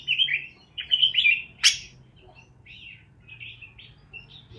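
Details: Parakeets chirping to encourage lonely parakeets: a few clear warbled phrases and one sharp, loud chirp, then the sound fades to soft, scattered twittering notes over a faint hum.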